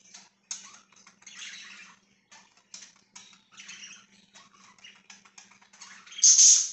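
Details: Chirping pet budgies on 24 September 2024 give rapid, rasping chatter broken into short clicky and buzzy segments, ending in a loud, harsh squawk-like burst; a soft low hum runs throughout.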